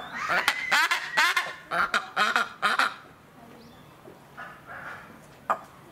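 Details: White-bellied bustard at Noichi Zoological Park, Kochi, Japan, 21 December 2019: harsh, nasal croaking notes in a quick run of about six bursts, then a few quieter calls after a pause.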